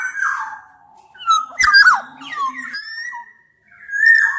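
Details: Black-naped oriole challenging a rival, from a blend of Javan and Sumbawa birds of both sexes: drawn-out mellow whistles sliding downward, a rasping burst in the middle, then a rising fluted note.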